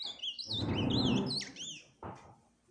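An ultramarine grosbeak sings a rich, warbled phrase of sweet whistles that wave up and down, over a burst of low rustling and a dull knock.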